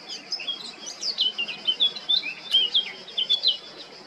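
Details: Blackcap male, recorded in Baška on the Croatian island of Krk in July 2022, pours out a lively, rambling warble of clear high whistles and quick trills, with notes rising and falling in rapid succession for about four seconds.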